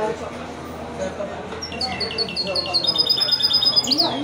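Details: Wedani-style song of a goldfinch × canary mule, bred from a male goldfinch and a female canary: after a quiet opening, a steady series of clipped high notes begins, merging into a thin sustained trill.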